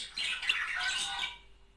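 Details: Budgerigar of a breeding pair, sound used to encourage mating: a single burst of rapid, scratchy chattering with squeaky notes lasting about a second, then fading to quiet.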